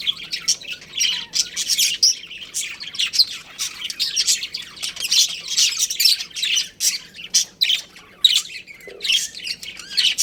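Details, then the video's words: A breeding pair of budgerigars kept at home chirps and squawks in quick harsh bursts, high and grating, with a continuous busy chatter throughout. "Adorable Budgies Chirping Sounds"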